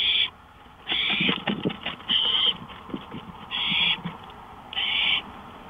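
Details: Owl on a porch at 1:53 AM, May 5, 2013 gives raspy hissing bursts at uneven spacing, mixed with scuffling, scratching and clicking sounds nearby.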